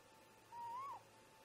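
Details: A great grey owl parent, talking with its mate at the snag nest about 04:25 in the morning, gives one long whistled note that rises slowly over half a second and then drops abruptly, heard over faint constant electrical hum.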